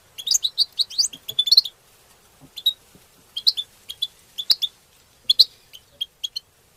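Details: Group of European goldfinches singing to stimulate other goldfinches and for mating; a fast, busy twittering run of high notes opens, followed by spaced clusters of clear chirps.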